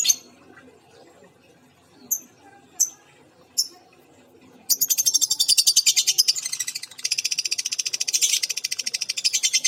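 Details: Female lovebird with an injured beak: a few sharp, high chirps at first, then a dense, loud, rapidly pulsed chattering run of shrill notes that continues to the end.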